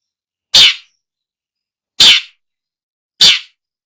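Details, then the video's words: Long-tailed shrike, used for luring birds: three short, harsh, rasping notes, spaced about one and a half seconds apart, with silence between them. "Suara burung pentet/cendet"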